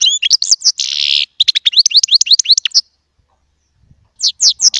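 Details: Small European goldfinch song opening with quick chirps and a harsh buzzy note, followed by a run of rapid bright rising notes, a pause, then a few more chirps.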